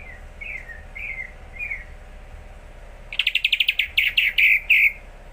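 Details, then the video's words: A greater green leafbird that has begun to sing often gives three soft slurred whistles, then a loud fast volley of sharp chirps and several ringing, clear notes. "C.hijo mulai rajin bunyi"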